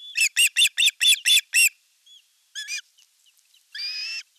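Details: At an osprey nest in Satakunta, Western Finland, on 5 August 2024, a fish is delivered while the older chick attacks the younger. Seven fast, piercing chirps are followed by a pause, a short burst of notes and a longer whistled call.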